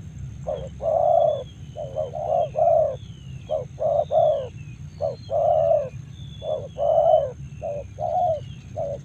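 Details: Spotted dove from Karawang cooing in uneven clusters of short and longer mellow notes, while faint high thin whistles from other birds drift in the background over a low hum.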